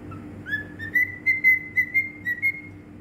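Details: Singing cockatiel in Bahrain: a brief low note, then a string of bright whistles stepping slightly upward, repeated about twice a second, with a low background hum.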